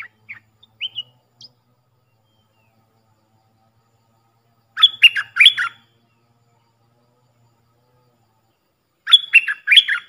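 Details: Decoy Puff-throated bulbul sound meant for teaching young birds: a few soft scattered notes at first, then two bright, rapid bursts of chattering, warbled notes about four seconds apart, quiet background otherwise.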